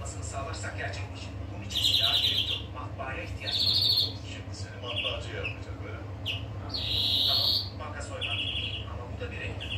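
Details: Greenfinch song made of several buzzy, pulsed wheezes and rolling trills, repeated every couple of seconds with short chirps in between, over a steady low background hum.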